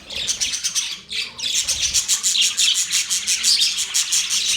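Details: Chirping budgies, November 19, 2023, a short dip near the start, then a rapid run of bright high chirps repeated roughly once per second or faster, scratchy and overlapping.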